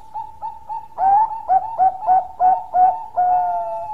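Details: Zebra dove of the Bangkok type in full long-voiced song: three soft lead-in notes, then about seven loud, punchy coos in quick succession, closing on a longer sustained note. Quiet background.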